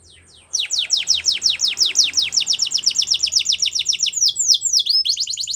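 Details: Spanish Timbrado canary singing a training song: after a brief quiet start, a fast run of clear descending whistled notes, about three per second, ending in sweeping slurred notes.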